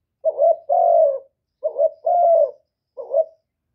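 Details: Spotted dove calling to provoke rival birds, recorded cleanly: a quick run of low coos, two full phrases of a short broken coo plus a long steady falling coo, then a third phrase beginning.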